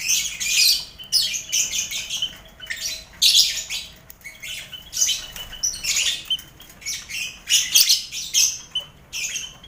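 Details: Crowded colony aviary of lovebirds mixed with finches and quail, used to train contest lovebirds; harsh high chirps pile into noisy bursts every second or so, with thin piping notes between them.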